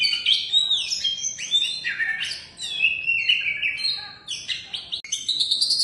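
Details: Oriental magpie-robin, first place in contests 11 times, singing fluid, swooping whistles that glide up and down between harsher chirps, in one unbroken stream with a faint background hiss.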